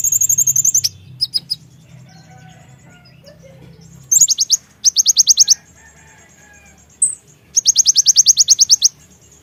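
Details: Javan myna calls played to stimulate other birds: bursts of rapid, harsh high chattering notes in quick trains, with gaps of quiet between and a low steady hum underneath.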